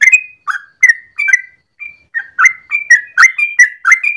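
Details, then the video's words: Morning song of a yellow-vented bulbul for luring or as a training master: scattered fluty notes with short gaps early on, then a denser burst of bubbly, rising whistled notes. "Trucukan gacor ropel panjang pagi hari"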